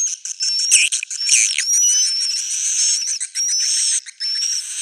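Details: Edible-nest swiftlet roosting chorus, meant to draw swiftlets: dense, overlapping, buzzy twitters with sweeping whistled slurs, some dropping in pitch, run almost without a break.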